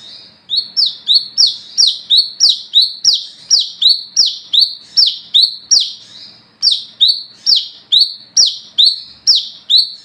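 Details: Olive-backed sunbird, locally called wiceh or coconut sunbird, singing constantly at night as a lure to call other sunbirds: loud, high, sharp notes swooping down then levelling, repeated almost three per second, a short break near six seconds.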